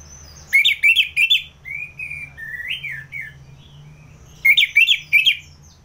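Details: Orange-headed thrush, ngeplong song, recorded in Singaraja, North Bali, Indonesia, to tutor contest birds: quick chattering phrases, then slow, soft, wavering whistles, then another chattering burst.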